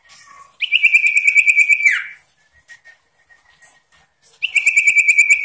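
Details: Sooty-headed bulbul in insistent, varied song meant to stir up rival birds: two long, fast-pulsed rattling trills held at a steady pitch, the first closing with a quick downward slur, separated by a quiet pause with faint chirps.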